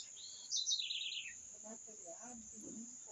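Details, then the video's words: A brief loud twittering bird phrase falling in pitch, followed by softer low murmuring sounds, all under a steady high-pitched hum. "Canto dos pássaros"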